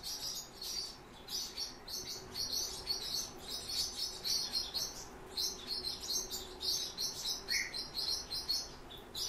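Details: Song Thrush chicks fed by their father: a dense, near-continuous chorus of high, rapid squeaking notes that rises and falls in loudness, with one lower chirp near the end.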